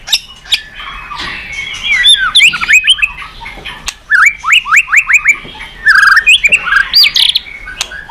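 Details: White-rumped shama singing vigorously, a recording meant to make other birds sing: varied rich phrases, then a run of repeated looping whistled notes and more tumbling, slurred motifs with sharp clicks between.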